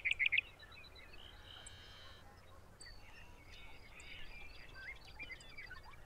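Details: Sage thrasher (Oreoscoptes montanus) singing in June at Arapaho NWR, Colorado: a quick burst of bright, high notes, then a faint, run-on warble of varied phrases over low background rumble.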